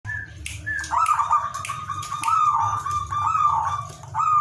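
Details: Zebra dove giving lively ngowar-style song meant to raise breeding desire in other doves: pulsed, warbling coos on a steady mid-pitched tone, rolling into trilled bursts about every second, over a constant low hum.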